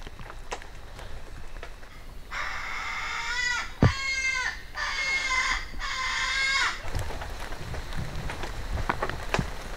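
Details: Young male 'Alalā, critically endangered Hawaiian crows, one of five released into Pu'u Maka'ala Natural Area Reserve on Hawai'i's Big Island on December 14: four drawn-out, harsh, nasal caws in a row over a steady low rumble of background noise.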